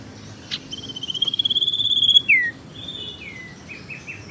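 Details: Tailorbird sirtu teras lure call for trapping or stimulating reluctant singers: a rapid pulsed trill building in loudness over about a second, ending in a sharp downslurred note, then softer falling whistles and short chips.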